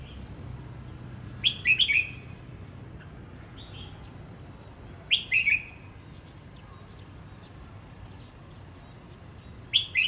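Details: Red-whiskered bulbul singing in practice, three bright warbled phrases spaced roughly four seconds apart, each a quick run of slurred whistles, with softer notes in the gaps and steady low background noise.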